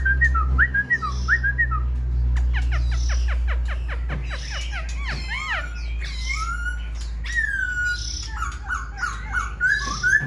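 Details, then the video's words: A caged Black-throated Laughingthrush, tail fanned and wings lifting as someone calls to it up close, sings a varied run of clear whistles, quick downward sweeps and warbled phrases over a steady low hum. "Khướu bạc má VIP đuôi xòe, múa cánh giọng cực hay"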